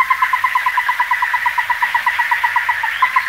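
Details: Ruddy-breasted crake calling in a fast, monotonous run of short, hollow, knocking notes, roughly seven a second, keeping the same pitch throughout over a low background murmur.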